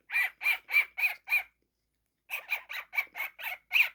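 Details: Young pet cockatiel making playful noises: a fast series of harsh, scratchy squawks around five per second, a one-second pause, then another run of similar rasping calls.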